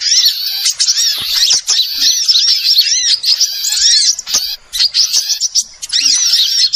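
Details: High, piercing twittering of small birds played as a trapping lure, a continuous crowded mix of quick chirps and short trills, with brief dips in loudness.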